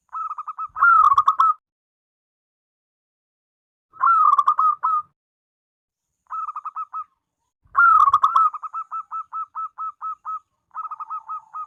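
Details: Zebra dove, a local Indonesian bird, singing its front-voice song: clear mid-pitched cooing phrases, each a rolled trill ending in a run of short repeated notes, four phrases spaced about every three to four seconds, background silent.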